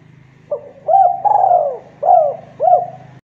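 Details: Lively Javanese spotted dove, a 'KUK 2' caller with tight phrasing. A clipped lead note, a looped coo, a long sliding croon and two bent hoots play against a constant low droning hum.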